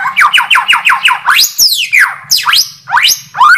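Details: White-rumped shama delivering a fast string of falling whistled notes, then long sweeping whistles that glide up and down, over a faint low hum.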